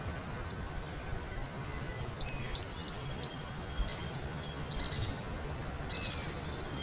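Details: A Fire-breasted Flowerpecker (Dicaeum ignipectum formosum) gives very high, thin, sharp ticking notes, a quick burst of about six then a few scattered ticks, over a soft steady background hiss.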